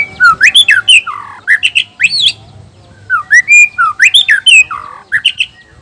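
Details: Black-tailed Nias white-rumped shama male used to goad other males into singing: rich bursts of rising and falling whistles, sharp slurred notes and quick flourishes, with a faint low hum of a room behind.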